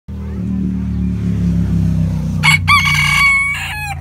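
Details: Rooster at Oshawa Zoo giving one crow, loud and harmonic-rich, about a second long with a brief break in the middle, following a stretch of heavy low rumbling background noise.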